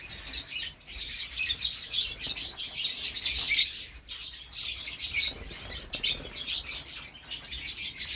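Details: Canary in Malang giving continuous high twittering: dense bursts of sharp, thin chirps that rise and fall in loudness, with brief pauses between phrases.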